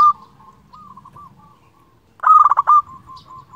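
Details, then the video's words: A local zebra dove in full voice calling out rivals, the kind of recording used to lure and stir other doves: soft rolling coos, then one loud stuttering burst trailing into a steady, even trill. "Perkutut lokal gacor Ahlinya memanggil lawan"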